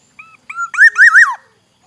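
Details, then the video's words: A single full Black-naped oriole phrase from Aceh, Indonesia: a soft short whistle, a second rising note, then three loud liquid looping notes that fall away at the end. "variasi kicau kepodang Aceh, Suara khas kepodang hutan, Black naped oriole"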